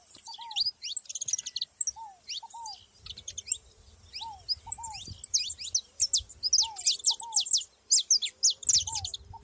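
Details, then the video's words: Saffron finches together in a natural setting: continuous overlapping high, sharp chirps growing denser toward the end, with soft low downslurred whistles in pairs throughout. "canário da terra junto na natureza"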